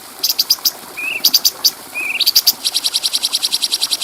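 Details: Stripe-throated bulbul (cucak cungkok) training song with clear voice for tutoring other birds: groups of sharp high ticks broken by short rising whistles, ending in a long fast even rattle.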